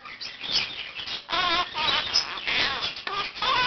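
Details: Pet Quaker parakeet, one year old, starting its 7 am wake-up routine by practising learned phrases. Loud, warbling, nasal squawks rise and fall in quick succession, with other birds in the room calling alongside.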